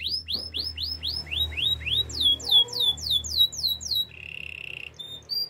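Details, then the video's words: Canary song for training: steady runs of repeated curved chirps that speed up and shift pitch, followed by a low buzzing held note and a couple of final chirps. "Bird sounds canary chirping | The best canary training"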